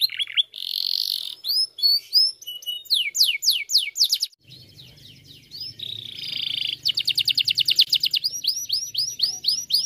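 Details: Canary song meant to stir other canaries into singing: varied high phrases of rapid slurred notes, buzzy rolls, and fast trills repeated several times a second, with a low hum in the second half.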